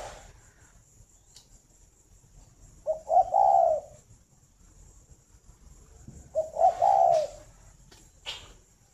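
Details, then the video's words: Spotted dove at a Vietnamese bird farm in Ba Vì, Hanoi, in the morning: two measured cooing phrases about three and a half seconds apart, each a short catch followed by a round, hollow coo, with light clicks. "tiếng chim cu đẻ"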